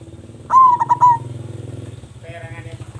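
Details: Loud-voiced local zebra dove singing, kept as a lure to set other doves calling: one rich cooing phrase of rapid broken notes rolling into a smooth sustained coo, then a faint softer sound and a continuous low background hum.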